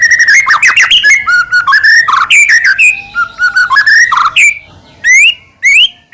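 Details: Varied song of a white-rumped shama, used to provoke another shama: tumbling whistled and harsh phrases of mixed pitch, then two loud upslurred whistles separated by silence.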